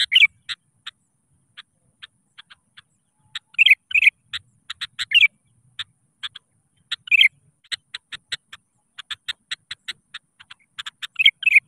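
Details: Sooty-headed bulbul singing to call rivals, a lure to get other bulbuls singing: short bright warbled phrases every few seconds among many sharp dry clicking notes, with no other sounds.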